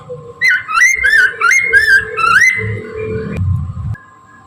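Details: Morning song of a Chinese hwamei, played as a lure to attract birds: a continuous string of loud, slurred, rising and falling whistles lasting about three seconds, ending abruptly, with a soft hum and low rumble behind.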